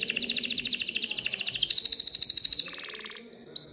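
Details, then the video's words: A worked-up canary sings to prompt hens to pair and nest; a quick bright trill runs over two seconds, slides into a lower, slower rattle, and ends with a couple of sharp upswept notes. "تغريد كناري هائج لتحفيز الاناث على التزاوح وبناء العش"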